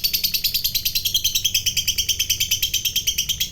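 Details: Ngekek panjang, the long chattering song of a lovebird fighter that provokes rival lovebirds. Rapid, evenly pulsed high, scratchy notes repeat roughly three times a second throughout, steady and loud.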